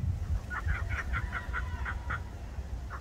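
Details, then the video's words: A laughing kookaburra in suburban Sydney, Australia, gives a string of hoarse, chuckling notes, roughly three a second, fading away, over low rumbling background noise. "Laughing kookaburras."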